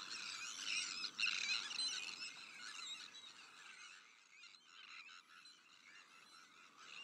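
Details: Harsh, rasping calls pour from a Sandwich tern breeding colony that also holds black-headed gulls, arctic terns and common terns, many birds calling at once in a steady, scratchy din.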